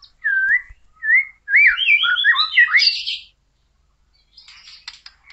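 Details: White-rumped shama, locally murai batu, opening with two clear looping whistles, then a rich tumbling phrase of warbled and sliding notes, followed by quieter scratchy chatter after a pause.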